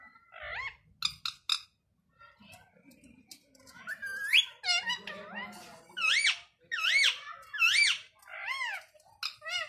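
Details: Ringneck talking parrot chattering rapidly: a run of high, looping speech-like syllables that rise and fall, growing louder and faster in the second half, with a few clicks and soft low murmurs early on.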